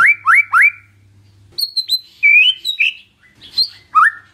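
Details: White-rumped shama song used as a lure to make a silent bird answer: three rising whistled upslurs, then varied high whistles, short trills and sliding notes with brief pauses.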